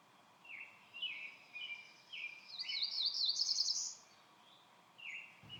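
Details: A cerulean warbler singing from one perch very high in a tree in the Blue Ridge Mountains, Shenandoah National Park, near a trail: a few short buzzy notes quickening into a high, thin buzzy trill, repeated. Faint forest background.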